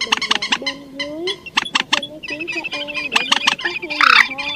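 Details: Night-trapping lure for migratory birds, named trích ré, quốc mốc and quốc biển, August 2023; quick clicking notes mixed with drawn-out nasal harmonic calls that rise and fall, overlapping callers throughout.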